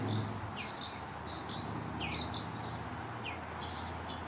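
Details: A Western Bluebird being hand-fed gives soft, high calls, short downslurred notes mixed with brief trilled bursts, repeated every half second or so over a steady low hum.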